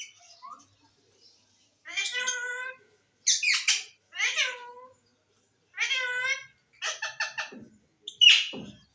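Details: Green parrot talking: a string of squawky, voice-like phrases with strong harmonics. Some bend downward and others come as rapid stuttering pulses, ending in a sharp high shriek. There are brief quiet gaps between utterances.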